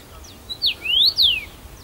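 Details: Singing first-summer male Common rosefinch, Bazel, Belgium, June 2015, returning to the same branch; one clear whistled phrase: a brief note, a downslurred whistle, a long upslurred whistle and a final descending slur.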